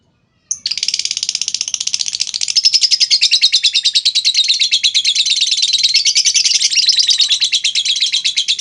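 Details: Lovebird giving a long chattering lure to draw replies from other lovebirds: a sudden start, then an unbroken fast rattle of shrill notes lasting over eight seconds, steady and loud.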